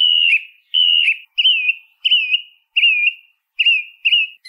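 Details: Song thrush singing: a clear, slurred whistled phrase that dips and rises, repeated again and again about every 0.7 seconds, with short silent gaps between and a quiet background.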